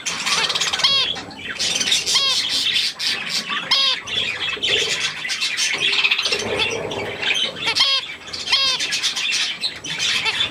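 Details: Young budgerigars with millet, 3 May 2024, chattering in a dense high warble, punctuated roughly every one to two seconds by sharp, downward-bending harmonic squawks.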